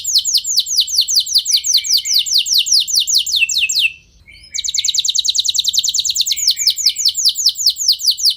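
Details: Canary song used to stimulate other canaries into singing long rolls: rapid trills of downward-sweeping high notes, about two to three per second, brief pause near four seconds, then a faster, denser trill resumes.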